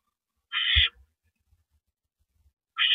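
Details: Barn owl nest at 8:45 PM on April 9, 2012, during a prey delivery by the male. One coarse, noisy hiss lasting under half a second, a long quiet pause, then another hiss beginning at the end.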